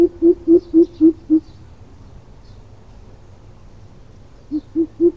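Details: Greater coucal call used for luring birds into traps: a run of six deep, hollow hoots repeated quickly and evenly, then a pause, then three more hoots, with faint background noise.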